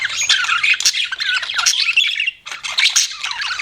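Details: Chattering pet budgerigars giving warbled chirps and gliding squeaky notes, with one brief lull before the lively chatter returns.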